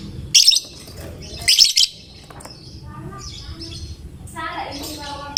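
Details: Fighter lovebird known for prompting other lovebirds to join in: two sharp, buzzy high chirps early on, then softer twittering notes and a last clipped chirp over low hum.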